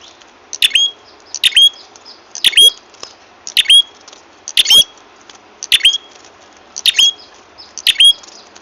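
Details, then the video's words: Lure call of an ashy tailorbird for trapping, a regular run of about eight squeaky notes with high whistled tails, spaced near one second, with faint low clicks. "suara pikat burung prenjak kepala merah ampuh"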